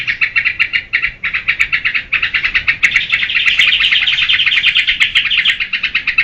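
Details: Yellow-vented bulbul singing a master song meant to coax caged birds, a fast stream of bright chirping notes that swells into a continuous bubbling warble before settling back into rhythmic chatter.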